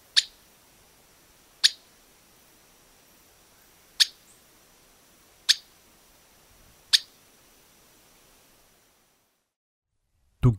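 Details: A Streaked Flycatcher, a common bird of Argentina, gives sharp, high, clipped notes about every one and a half to two seconds over a faint steady high hiss; a different sound breaks in at the end.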